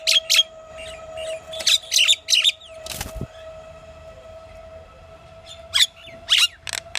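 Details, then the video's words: Pied myna chattering: scattered sharp squawks and scratchy notes in clusters separated by a quiet spell, over a steady faint background hum. "Pied Myna bird's variety of calls and sounds"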